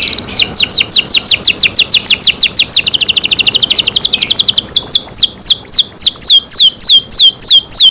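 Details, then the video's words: Canary singing in captivity: a sustained, very fast trill of high downward-slurred notes that gradually slows into clearer, spaced swooping whistles, about three to four per second, the bird alone and clear. "canary Nice sound"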